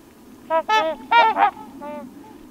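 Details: Trumpeter Swans on dark water in low autumn sunlight at Crex Meadows, western Wisconsin, during peak fall colour: four loud nasal honks in quick succession with rich harmonic stacks, then a softer fifth honk, over a faint steady background hiss.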